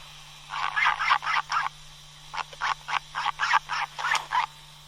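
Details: Albatross, a seabird that comes ashore only to breed, calling: a rapid series of harsh, nasal, clattering notes about four a second in two bursts, over a steady low hum.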